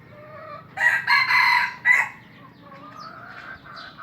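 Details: Junglefowl crowing at a breeding site in Aceh: one loud, rasping crow of three close segments, the last a sharp upward burst, then quieter distant calls from other birds in the enclosure.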